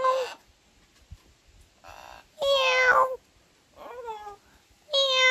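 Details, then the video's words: Blue macaw kept as a pet, on its swing indoors, giving cat-like meows: a few bright, wavering mews that slide downward, separated by quiet breathy pauses. "He had been meowing like a cat until I tried to record it!!"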